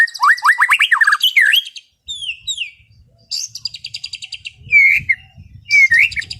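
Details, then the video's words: White-rumped shama in relaxed afternoon song delivered loud and open, used to calm over-excited birds: a fast run of rising whistles, then scattered sliding notes, rich warbled phrases and bright rising whistles after a short pause. "SUARA MURAI BATU NGEPLONG SANTAI SORE HARI UNTUK RELAKSASI BURUNG OVER BIRAHI"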